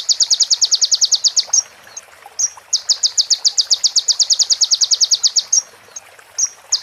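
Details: Long, fast, evenly pulsed rattling trills from a konin sunbird on a master track for training birds, said to hold female prinia and ciblek phrases. Each run lasts over a second and is broken by brief sharp chips.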